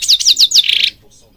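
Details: European goldfinch from Morocco in song, a training recording: four quick descending chirps followed by a short buzzy note, then silence.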